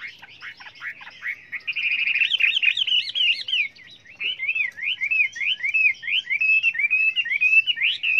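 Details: Chinese hwamei in full song, sung in many voices for training other birds: fast, bright whistled phrases and repeated wavering notes, steady and loud over a quiet background.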